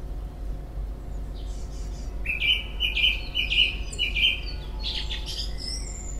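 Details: Unidentified bird singing busily this year in a garden: a steady trill of rapid high notes lasting about two seconds, followed by scratchy chirps, over a constant low rumble.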